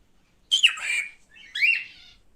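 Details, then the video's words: Male cockatiel kept indoors making two drawn-out, buzzy squawks, the first rising sharply then holding steady, the second softer and shorter. "Erkek Sultan papağanı sesi"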